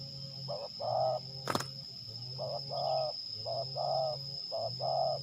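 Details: Terkukur, the spotted dove, kept as a trapping decoy in Liwa, West Lampung, Indonesia, during a fight test: four pairs of short-then-long throaty coos at a steady pace, one sharp click early, constant thin high whine and low hum beneath.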